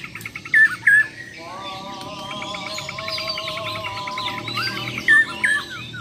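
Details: Bornean White-rumped shamas, champion birds in a mental test against rivals: loud, clear whistled notes at the start and end, with a softer tonal drone and high busy chatter in the middle.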